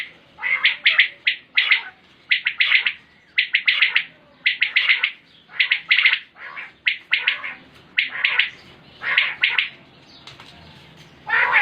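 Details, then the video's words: Repeated calling from a common quail (batair), recorded 2020: a steady run of crisp three-note phrases, one about every second, sustained without a break for the whole stretch. "Batair Ki Awaz|Naye Recording Batair Ki Awaz| Common Quail Calling 2020| Batair sounds| QUAIL SOUNDS"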